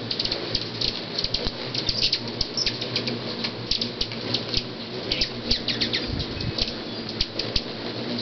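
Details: Hundreds of hummingbirds spend six months a year at a ranchette in Myrtle Point, Oregon, sounding like little jet engines: a dense, steady whirring hum threaded with many short, sharp high chirps and ticks throughout.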